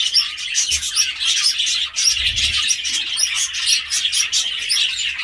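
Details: Budgerigar calls: a dense, unbroken stream of high, scratchy chirps and twittering notes that overlap throughout, busy and excited in tone, with no pauses and no other clear sounds.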